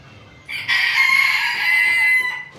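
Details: Roosters crowing in a yard, a Sebright rooster among them: one loud, strained crow lasting about a second and a half, harsh and buzzy with a steady drawn-out middle, rising after a brief quiet start, then fading.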